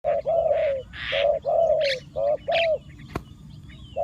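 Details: Decoy spotted dove calling to lure wild doves: a string of short, low cooing notes, some paired, each slightly arched, with brief higher chirps from other small birds between them.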